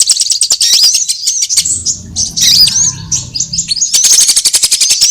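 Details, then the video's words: Sunbird calls from a trapping lure mix: a rapid series of very high ticking notes, then slurred thin chirps, and a dense stuttering trill to finish. "Suara pikat semua jenis burung kolibri"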